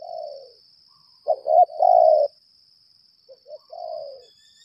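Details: Spotted dove decoy bird of the 'lambung kuk' type, calling at length in a contest. It gives low, mellow coo phrases: a quick stuttered double note then a long hoarse coo, repeated, with a steady high insect-like hum throughout.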